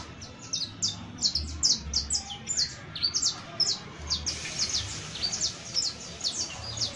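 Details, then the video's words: Juvenile saffron finch chirping continuously, high thin notes in rapid uneven bursts that stay busy from start to finish, over faint low-frequency noise. "CANTO: CANARIO BASTO [SICALIS FLAVEOLA JUVENIL]"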